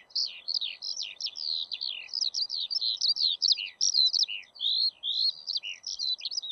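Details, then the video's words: Eurasian skylark singing an unbroken, rapid stream of high chirruping, trilled and slurred notes, packed tightly with brief gaps, continuing for over six seconds over a faint steady low hiss. "ПОЛЕВОЙ ЖАВОРОНОК-ПОЮЩИЙ ЛЕКАРЬ"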